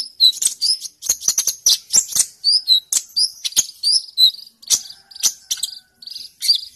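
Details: Sunbird singing hard, ready to fight, used as training material for songbirds: quick, shrill, chattering phrases of bright slurred notes and clicks, separated by short pauses.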